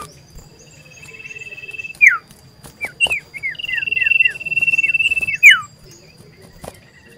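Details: Common iora singing loudly and persistently while seeking a rival, recorded 27 December 2022: a long level whistle ending in a sharp downslur, then a run of short falling notes and another long sustained whistle closing with a downward swoop.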